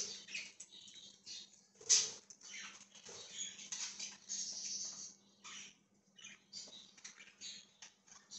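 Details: Budgerigar on 1/20/2023 giving run-on scratchy chirps and warbles, with one loud sharp squeak near the second second and softer clipped notes later, above a faint constant hum.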